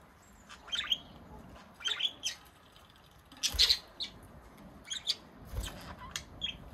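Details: Two pet budgerigars in Baunatal, Hessen, Germany, recorded on 27 March 2023, giving scattered short, high chirps and squeaky notes, some in quick pairs, over a steady background hiss.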